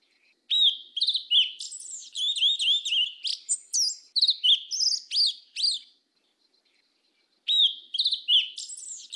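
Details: Yellow-legged thrush in southern 'mateiro' song style: a long, varied run of high whistled and chattering notes with quick slurs, then a pause and a new phrase. The recording is clean.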